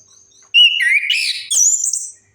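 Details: Orange-headed thrush singing a single rich phrase: a clear whistle sliding down, then a rising buzzy flourish ending on a high sustained note, played to coax silent birds into song.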